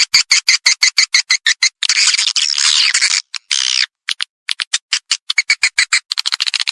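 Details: Swiftlet lure call used to attract swiftlets: rapid harsh chirps stutter in quick bursts, then break into a sustained dense buzzy twittering before returning to fast clipped notes.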